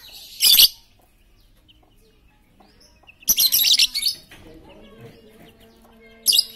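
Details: Noisy, chatty lovebird serving as a lure for quiet birds: a short piercing screech, then after a pause a longer run of harsh, rapid squeaky chatter, and a final brief shriek.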